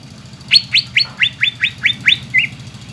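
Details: Greater green leafbird whistling as a lure to stimulate young birds to sing: eight evenly spaced, sharply down-slurred whistles, about four per second, ending with a softer short warble.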